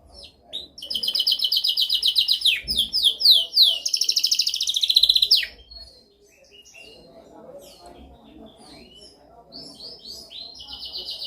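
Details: Canary delivering a dominant training song: a loud fast rattling trill, a string of quick descending slurs and a buzzy roll, then quieter scattered chirps and short whistled phrases.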